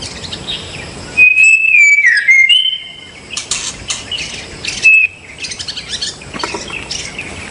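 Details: Wild white-rumped shama delivering a loud fluted phrase that holds level then dips and jumps, followed by a short repeat of the opening note, with sharp clicks and chirps from other birds around.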